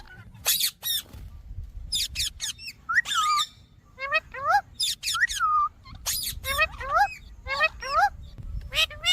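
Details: Pet Indian parrot giving a run of harsh, harmonic screeches mixed with short, bending whistled notes, in bursts roughly every two seconds, with a low rumble of background noise beneath.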